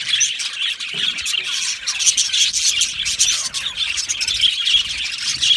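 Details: Aviary budgies singing and chirping, a dense continuous twitter of high squeaks and warbles from several birds at once.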